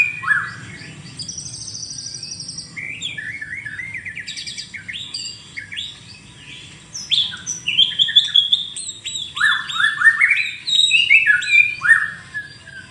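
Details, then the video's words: Morning song of a white-rumped shama, a long varied stream of whistles and chirpy notes. It starts softer, then turns louder and denser with fast rising and falling phrases repeated in close succession over a steady low background hum. "kicau pagi burung murai batu"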